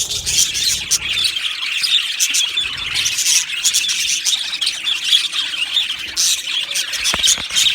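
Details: Budgies in a colony aviary give overlapping chirps, squeals and squawks, a continuous high babble of many birds with sharper calls popping out every second or so.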